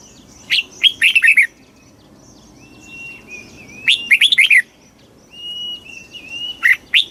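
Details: Fast 'kích bổi' song of a Red-whiskered bulbul: three bursts of lively slurred whistled notes, each under a second long, with thin drawn-out whistles from other birds in the gaps.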